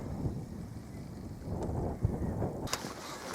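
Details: Low rumbling wind and water noise with a few soft knocks and a brief hiss near the end; no animal voices.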